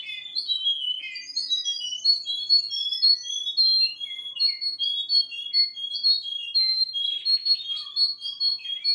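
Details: Russian canary delivering continuous high whistled song with rapid varied notes, short slurs and a pulsed trill later on.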